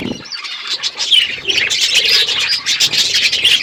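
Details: Several budgerigars chirp and warble on a winter morning, starting after a short soft pause, then a continuous stream of bright, squeaky chatter.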